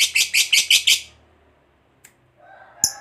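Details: Lovebird fighter calling in the 'ngekek' style meant to provoke other lovebirds: six harsh, buzzy chirps in quick succession lasting about one second, then near silence with a faint low hum and one sharp click.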